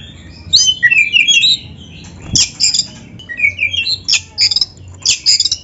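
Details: Magpie-robin (kacer) singing a full narung performance for training other birds: continuous harsh squawking notes and buzzy rasps interwoven with high whistled slurs, delivered in quick uneven bursts.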